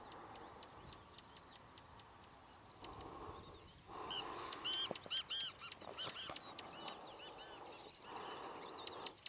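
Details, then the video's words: Rufous-tailed scrub robin in Shirvan National Park, Azerbaijan, 23 June 2013: adults agitated near fledglings in reaction to a grass snake, giving sharp clicking notes and brief high whistles in uneven bursts, other birds and steady hiss behind. "Соловей тугайный"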